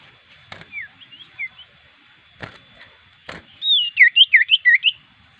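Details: Common iora, a lively singer suited for use as a lure bird, gives short whistled notes, then a quick series of rising and falling whistles near the end; sharp clicks in between.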